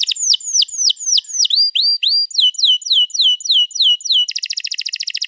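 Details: Long-rolling canary song, 'ngerol panjang' style, meant to get canaries singing along, dated 21 April 2022: a series of clear downward-swooping whistled notes, about four per second, ending in a rapid pulsed high trill.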